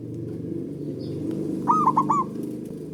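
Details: Male zebra dove calling to stimulate mating drive in a dove that rarely calls: a single phrase of four quick, rolling, throaty coos over a steady low rumble of background noise.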